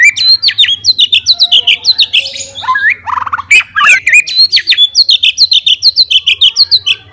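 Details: Fighting white-rumped shama singing to challenge rivals; long series of quick rising-falling whistled notes repeated about three per second, broken midway by harsh chattering and a downslurred phrase, low hum underneath.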